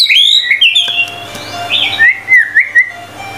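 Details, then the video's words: White-rumped shama in full song, recorded as training material for other birds: bright whistled notes gliding down, then a string of fast looping whistles and short rising phrases over a faint constant hum. "MURAI BATU GACOR FULL 25 MATERI MASTERAN MEWAH 100% MASTERAN MURAI BATU PALING AMPUH GACOR BANGET"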